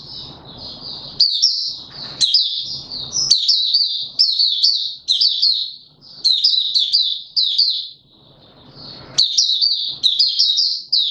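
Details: Male white-eye kept as a songbird, in opening song on 31 December 2021 while pushed into form: long, continuous high-pitched twittering warble in fast rolling phrases with sharp accented notes, interrupted briefly by cage rustling.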